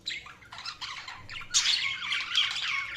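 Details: Budgerigars chirping in dense overlapping warbles, buzzy rising and falling chatter with brief pauses, growing louder and busier in the second half.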